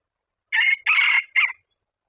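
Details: Wild red junglefowl cock coming in toward a decoy rooster, giving a loud three-part crow: a short opening burst, a longer harsh middle phrase and a clipped final note, in a quiet setting.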